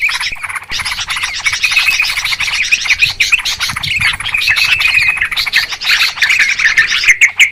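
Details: Lure recording of noisy Yellow-vented Bulbuls (trucukan): an unbroken stream of rapid twittering and clear chirps, roughly three per second, from several birds calling together.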